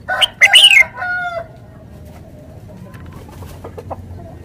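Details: Red-whiskered bulbul, caged decoy bird in Thailand, opening with a rapid burst of bright whistled notes, followed by a short, lower, nasal harmonic call and then faint ticks.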